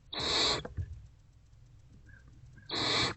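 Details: Barn owlet feeding on a rodent in a nest box on a February afternoon: two loud, harsh screeching hisses open and close the moment, with a faint squeak and quiet shuffling between.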